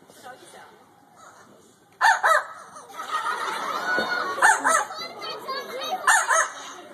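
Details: A captive Amazon parrot at African Lion Safari, Canada, imitates a small dog's bark that it picked up living with its keepers: loud, harsh, yappy bursts in quick pairs.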